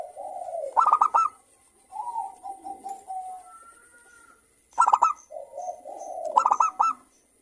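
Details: Local zebra dove singing to trigger song in other doves, its voice crystal-clear: bright, staccato note runs at the start, middle and end, with low murmured coos and a thin, drawn-out whistle between them.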